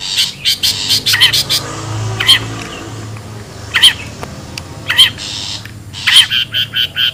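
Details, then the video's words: A wild long-tailed shrike lure recording with widely spaced, short harsh calls and thin whistles, ending in a rapid series of six or seven chattering bursts. "SUARA ASLI PIKAT CENDET,PENTET ALAM LIAR"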